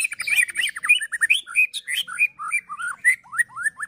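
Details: White-rumped shama known as murai batu in a fighting-style song, a continuous rapid stream of bright whistled slurs and twists, rising and falling notes packed several per second.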